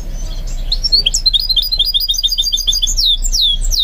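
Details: A goldfinch mule being trained to sing gives a quick, continuous twittering phrase of short high chirps, finishing with long falling whistles.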